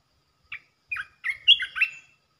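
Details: Red-eyed bulbul, a resident territory holder, calling in the calling style: a short note, then a rising run of bubbly, warbled notes that grow louder over about a second and a half.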